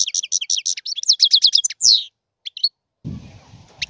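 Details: Fast liquid twitter from a European goldfinch, with high, crisp notes strung into rolling trills and a downslurred buzzy note. It ends in a short pause and then low broadband noise.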